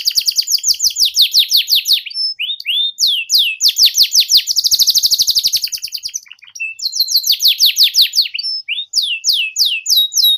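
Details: Ngeriwik-style canary song used to tutor juvenile canaries: fast repeated downward-sweeping notes, then a dense rattling trill in the middle, resuming with bright sliding whistles.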